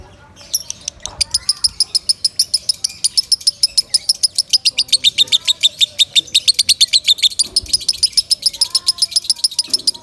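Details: Loud lovebird song meant for tutoring other birds: a fast, even stream of shrill chipping notes, roughly three or four per second, building after a brief start, with softer low whistles and chirps behind.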